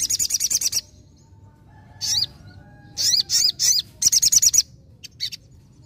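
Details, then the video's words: Vigorously singing sogon, nembak ngalas style: fast high trills and bursts of looping, warbled whistles with brief silences between phrases, all bright and piercing against a quiet background. "SOGON GACOR NEMBAK NGALAS"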